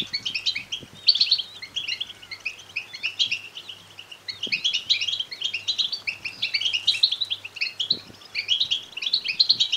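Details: Begging European goldfinch chicks, a sound used to provoke male singing and mating; clean, steady stream of thin, high chirps and tinkling squeaks, overlapping and pulsing in waves, with almost no background noise.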